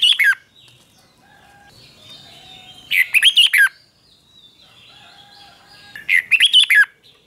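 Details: Red-whiskered bulbul singing in the doubled 'bern' (เบิ้ล) style, played to teach young birds to copy: short bright warbled bursts of quick rising and falling notes, repeated about every three seconds, with faint thin whistles from other birds between phrases.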